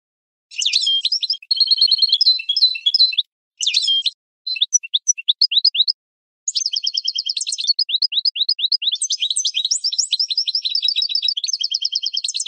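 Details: European goldfinch training song for captive birds: bursts of rapid liquid twittering and tinkling trills, high and bright, broken by short pauses, then a long run of quick buzzy and chattering notes with no other sounds.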